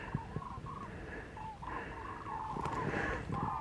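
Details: Common cranes, the last of many flocks flying north over Pinto and Getafe, Parque Natural del Sureste, Spain, on a February 21 afternoon: distant trumpeting calls repeated in overlapping bursts over steady wind and traffic rumble.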